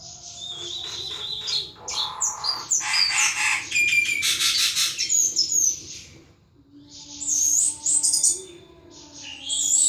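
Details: Thrush kept by a bird hobbyist, singing nonstop: long stretches of loud mixed whistles, rattles and buzzy notes, a brief pause, then more sweeping high whistles.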